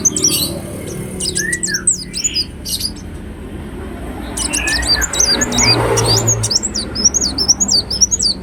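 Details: Ruby-cheeked sunbird lure song: bursts of high, squeaky twittering, a pause filled with hiss, then a long, fast run of thin, wavering zigzag notes over a low background hum.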